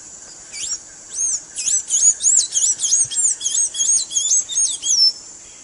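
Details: Blue-gray tanager singing, audio intended to teach a caged tanager its song: high, thin slurred notes tumble quickly in a chattering sequence of roughly twelve phrases, ending on a drawn-out downward note, steady hiss behind.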